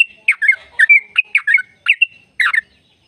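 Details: Yellow-vented bulbul, played to stimulate caged birds, uttering a brief series of harsh, bubbly notes and a few short whistles in loose clusters.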